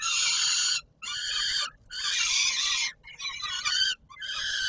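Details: At feeding time on the Palace of Culture and Science, Warsaw, Poland, 17 July 2022, a peregrine falcon gives hoarse, grating cries, each lasting about a second, repeated with short pauses between them.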